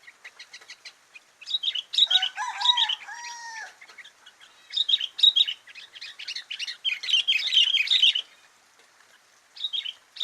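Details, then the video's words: Sooty-headed bulbul chattering in rapid, busy chirped phrases, broken early on by lower, smooth descending whistles from another bird, then more dense twittering bursts and a final short phrase. "Isian burung kutilang"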